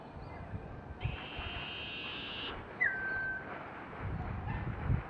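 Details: Juvenile common iora begging for food gives one drawn-out, rasping buzz lasting about one and a half seconds, then a thin whistle that drops and levels off, with low rumbling noise beneath.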